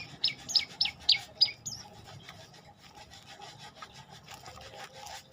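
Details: Olive-backed tailorbird singing five emphatic, sharp high chips about three per second, then falling quiet while a rasping, sawing-like noise continues.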